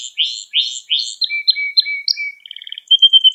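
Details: Gloster canary singing to arouse and train young canaries: repeated swooping slurred notes, a thin level whistle, a short buzzy rattle, then high evenly pulsed notes.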